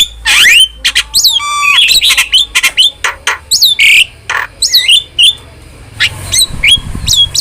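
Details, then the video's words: Starling singing vigorously in a training and lure recording: loud, varied phrases of piercing whistles, rising slurred notes, a short rattled trill and scratchy chips, delivered fast and irregularly. "OCEHAN JALAK GACOR"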